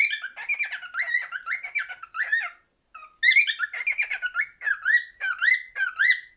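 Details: Rapid warbling whistles from a cockatiel, a long run of fluttering notes, a short pause and soft note, then more warbling ending in clear upward-sweeping whistles repeated about every half second.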